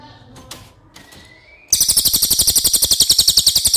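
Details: Cililin song recorded as tutor audio for contest birds such as magpie robins: brief noise and a faint rising whistle, then a fast buzzy high trill of sharp repeated notes, about eight per second.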